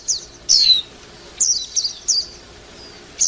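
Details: Warbling white-eye producing a few high, thin slurred notes and short twittering fragments, separated by brief pauses, against a faint hiss.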